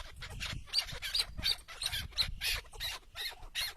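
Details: Tethered decoy chukar partridge calling outdoors during a partridge hunt: harsh, clipped chuck notes repeated unevenly about once per second, with a low rumble of wind underneath.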